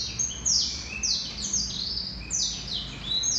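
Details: Male Black-throated canary in song, pouring out quick high descending slurs linked into a bright, rolling warble, several notes each second, over a soft low hum.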